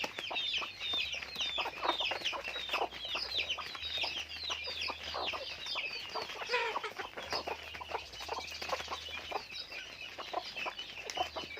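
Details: Farm-raised chickens calling in a crowded flock: continuous overlapping high chirps and short peeping notes, many birds at once, steady in loudness from start to end.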